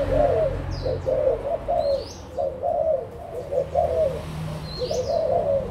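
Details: Cooing of adult spotted doves (Malaysian and Thai), 16 March 2022: grouped hoarse coo phrases with short gaps, a few high swooping chirps from other birds, low background hum.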